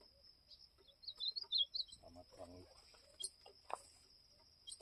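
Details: Campeada-style song of an ultramarine grosbeak: a short burst of high, rolling warbled notes lasting under a second, with a low voice and scattered clicks afterward.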